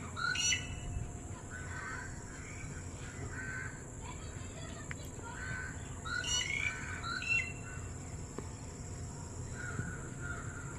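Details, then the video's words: Red-whiskered bulbul calling to friends far away: short bursts of bright, warbled chirps near the start and again around six to seven seconds, with quieter notes between them over a steady low background rumble. "When friends are in far away place ... they speak in making sound #Red whiskered bird"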